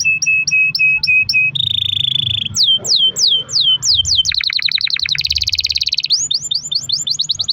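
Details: Domestic canary singing a long-rolled song, played as a lure to get other canaries to sing: clear whistled notes, then rapid downward-sweeping trills, buzzy rolls and fast repeated phrases, with a faint low hum beneath.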